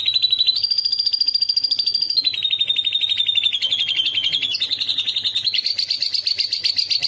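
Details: Canary song meant as a model for a lovebird: rapid trilled phrases at steady pitches, stepping up, dropping, then wavering downward before a rougher, wider trill closes the passage.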